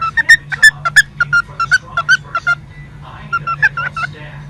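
A cockatiel chatters a fast string of whistly, voice-like syllables imitating a short spoken phrase, pauses, then repeats part of it, over a steady low hum.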